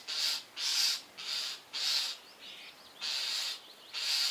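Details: Nestling starling waiting at its nest box hole for food. Harsh, wheezy screeches repeat about every half second, steady and insistent, with faint squeaky notes in the gaps.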